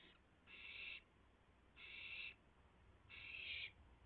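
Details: Owls at the nest during a night rabbit delivery, 3:38 AM, April 7, 2016; three loud rasping screeches, each about half a second, spaced roughly every 1.3 seconds.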